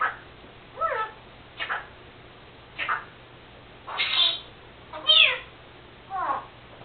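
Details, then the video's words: Female Senegal parrot at home, mimicking speech and sneezing; a run of six nasal, wavering notes, some bending downward, about one each second, the later ones louder and higher. "Senegal parrot Lucy talking...and making sneezing sounds.."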